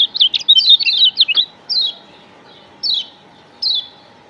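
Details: Yellow white-eye from Lombok, played as a lure to draw other white-eyes close: a rapid burst of high, sharp, downslurred twittering notes, then three separate piercing descending chirps spaced about a second apart, with a faint steady hum behind.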